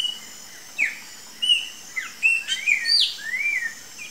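A rufous-bellied thrush gives short, clear whistled notes and slurred phrases, some rising and some falling, in a quick irregular series over faint background hiss.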